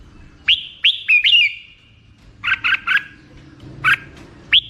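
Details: Black-crested bulbul uttering short upslurred whistles and a cluster of buzzier notes in a brief, uneven phrase, with low background noise.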